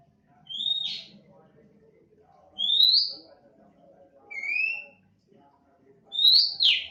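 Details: A 'bahan' oriental magpie-robin sings in 'nembak' fashion: four clear whistled phrases, some rising and some level, about one to two seconds apart, the last ending in a buzzy flourish; quiet room hum behind.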